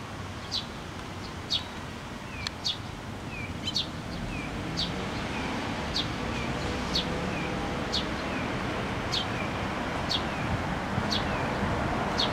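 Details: Sparrows coming to take food from a post at a shrine on 26 June 2024; a run of quick high chirps and softer downslurred notes roughly every second over rustling and distant traffic noise.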